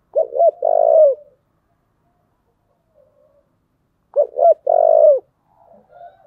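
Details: A "giọng thổ" spotted dove calls for fighting or competition. Two identical phrases arrive about four seconds apart, each with two short rising notes and a long, rough, falling coo. Soft murmurs fill the gap, and another begins at the end.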